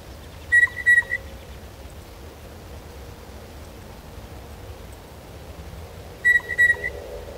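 Blue Jay giving two brief bursts of clear, bell-like whistled notes about six seconds apart, over a low steady background hum.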